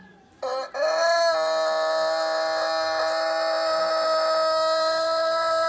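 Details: A rooster gives a single long crow that rises quickly after a brief broken start and holds a steady, drawn-out harmonic tone for around five seconds.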